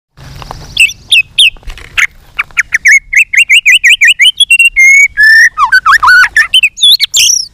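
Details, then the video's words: White-rumped shama giving a many-voiced fighting song while flicking its tail. A fast, varied run of whistled notes and buzzy trills jumps between pitches, with sharp slurs and short repeated phrases, all against a quiet background. "chòe lửa hót đánh đuôi thái độ.kích chòe lửa hót đấu. chòe lửa hót nhiều giọng căng lửa"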